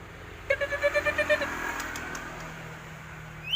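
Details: White-rumped shama, kept bird said to be ready to fight at any time, giving a rapid series of about nine even, repeated whistled notes, followed by a quieter stretch with steady low background hum.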